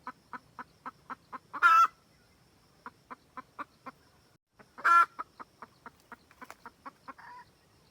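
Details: Red junglefowl hen cackling to attract a rooster, used to lure birds into traps: long strings of rapid clucks, each string peaking in a loud rasping squawk.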